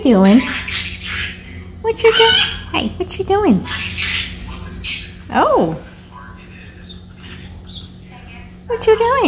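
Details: Pet conure hiding in a laundry closet, giving loud squawks, sharp falling chirps and harsh screeches scattered through the clip, with a steady low hum behind and a person talking to it.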